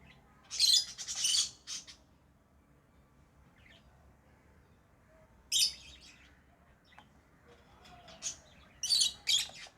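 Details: Lovebird chirping: shrill, high-pitched bursts of rapid chirps in three clusters, near the start, the middle and the end, with quiet pauses between them.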